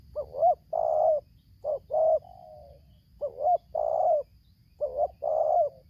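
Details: Spotted dove (tekukur) from Lampung, decoy against wild bird, singing the tarik akar selang nguku style. Three soft cooing phrases follow one another. Each has a quick paired note and a longer sustained coo, and one ends with a fading tail.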